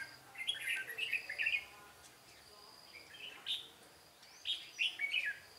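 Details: Red-whiskered bulbul at a trap on 13 March 2017 delivers lively runs of rapid, slurred whistles in two bouts separated by a short pause. A steady high insect tone sounds in the background.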